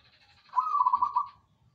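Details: Perkutut, the zebra dove, giving one soft cooing phrase, a low rolling burst of quick pulsed notes lasting under a second, with faint background rustle.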